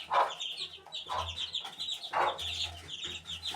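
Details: High chirping peeps of an eighteen-day-old chicken chick over a low steady hum, with three louder broadband bursts about a second apart.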